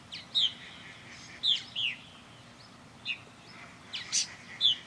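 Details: Backyard purple martins orbiting their birdhouse; clear, bubbling chirps in ones and twos, with a brief burst of overlapping notes near the end, over a faint low hum.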